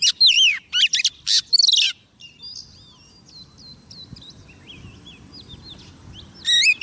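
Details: Oriental magpie-robin hen, used as a lure, singing to summon a male. Sharp looping whistles in a fast opening run, then faint distant warbled phrases, and loud whistles again at the close.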